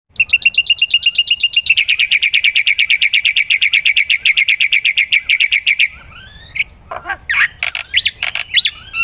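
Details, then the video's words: Black-winged myna in full song, kept as a training recording for other songbirds: a fast run of bright, repeated chattering notes about three per second, then a looser burst of sharp whistles and upward-sweeping squeaks. "burung masteran jalak putih gacor"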